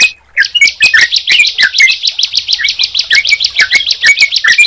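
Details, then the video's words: Together, a Sunda pied chat and a yellow-vented bulbul give a brisk chattering run of bright chirps and short slurred whistles after a brief pause. "Suara Ciblek Dan Trucukan Jika Dipertemukan"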